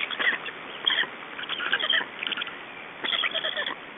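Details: At an Estonian black stork nest during a changeover and feeding, 2 June 2012, 21:54: harsh, grating calls in short clusters, a pause, then a fresh burst near the end.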